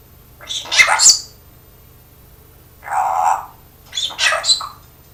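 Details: Talking pet parrot that speaks and coughs like its owner: three harsh, breathy bursts separated by pauses, the middle one lower and rounder, the others raspy and high, in a quiet room.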